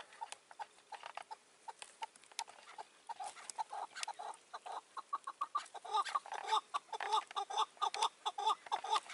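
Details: During a May 2024 hunt, a caged decoy Chukar calls near a wary wild partridge. The clip opens with sparse, soft chuck notes. These speed up into a loud, regular, rattling series of clipped calls in the second half.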